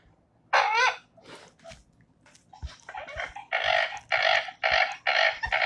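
American Coot giving a series of harsh, nasal, clucking notes, the first one wavering and rising like a question, then about eight short burry calls in quick succession.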